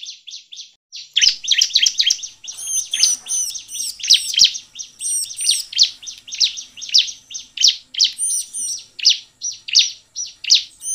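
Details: Lure recording of a Bar-winged prinia singing to get other prinias singing. A short pause, then dense, high, scratchy chirps repeated in quick pulses, mixed with clear, ringing, stacked whistled notes in several runs.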